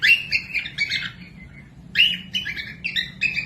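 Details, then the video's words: Cockatiel chirping for training young or quiet birds: bursts of rough, squeaky chirps in quick clusters, a gap near the middle, then more rapid chirps. "Cocok buat pemasteran falk yang malas bunyi langsung nyaut pemasteran cockatiels cute parrot"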